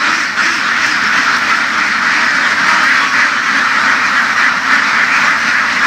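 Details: Laying ducks herded across fields in western Vietnam, heard as a smooth, blurred roar of countless distant quacks merging into a steady hiss-like murmur.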